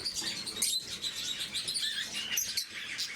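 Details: Morning feeding of blue-mutation lovebirds brings a short burst of bright, squeaky twitters and sharp chirps, several birds calling together without a break.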